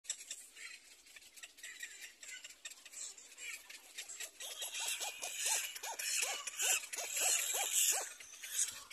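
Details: Little black cormorant chicks at the nest competing for their mother's food: after a hissy, scratchy start, a run of short arched squeals rising and falling, about two per second, over steady high hiss.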